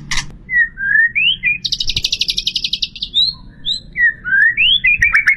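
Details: White-rumped shama singing a full-isian song packed with imitated phrases: slurred rising whistles, then a fast buzzy rattle of about twenty notes, a few high pure whistles, and more looping whistled slides at the end.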